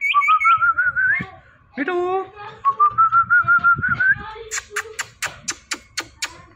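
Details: Indian ringneck parrot talking: a wavering whistled trill, a nasal voice-like syllable, a second steady whistled run rising at the end, then a string of sharp clicking notes.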